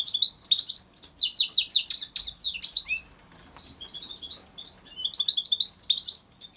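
A goldfinch mule sings a fast, bright twitter of high chirps and trills in quick bursts.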